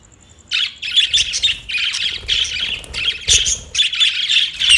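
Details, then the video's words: Budgerigars chattering: a dense, continuous run of high warbling squawks and chirps after a brief quiet start, rising and falling in rapid bursts without pause. "Funny Budgie | Funny Budgies Sounds"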